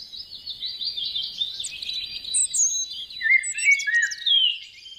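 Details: Garden birds singing: a continuous, varied twittering warble of quick high chirps and trills, with sharper high notes mid-phrase and lower sliding whistles toward the end; no other sounds stand out.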